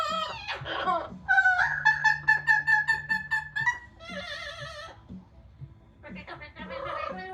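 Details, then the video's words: Amazon parrot kept as a pet, singing and making noise outdoors after a shower on a sunny day. Choppy, vowel-like harmonic notes repeat about twice a second in a long sung phrase, then buzzy wavering bursts and scratchy calls follow. "the Parrot singing talking and making noise outside after shower"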